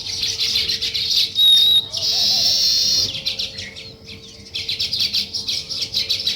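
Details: Morning sparrow chirping near weaver birds building a nest: bursts of busy high chattering broken by a clear whistled note and a brief noisy rush, then chattering resumes at a quick irregular pace.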